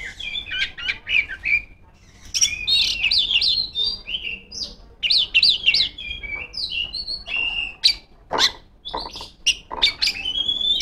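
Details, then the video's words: Female kacer (Oriental magpie-robin) in full song aimed at rivals, alternating warbled whistled phrases with sudden sharp, harsh notes and clicks, the rhythm uneven with short gaps between bursts. "suara burung kacer gacor ngeplong memanggil lawan"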